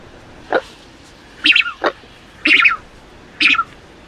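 A Falkland steamer duck gives five short, harsh, rasping notes about once a second, some dropping sharply in pitch, over a quiet background.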